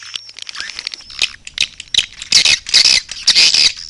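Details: Swiftlet calls: sharp, high chirps and clicks, with dense bursts of twittering in the second half, coming in irregular rapid bouts.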